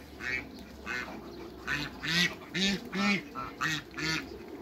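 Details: Hybrid Cayuga and Muscovy ducks meeting in a backyard: a steady series of about nine loud, raspy quacks, each short and harsh, coming in quick succession over a low hum.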